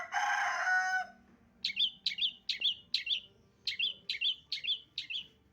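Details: Long-tailed shrike (cendet) recording used to lure birds: a harsh, rasping burst, then about ten short, sharp chirps in two quick runs, a little over two per second.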